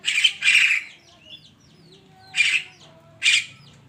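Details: Morning Javan myna: a rasping double squawk followed by two single grating calls, with high twittering birds in the background.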